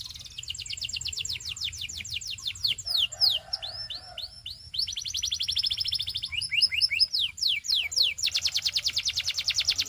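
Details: A male Belgian canary sings continuously: quick pulsed trills, clusters of arching and falling whistled notes, and a closing stretch of loud rhythmic rattling repetitions.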